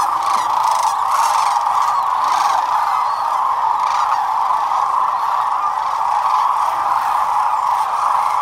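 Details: Some 12,000 sandhill cranes gathered at Whitewater Draw on February 19, 2021; a steady, roaring chorus of trilling, trumpeting calls continues throughout, with a few louder nearby voices standing out briefly.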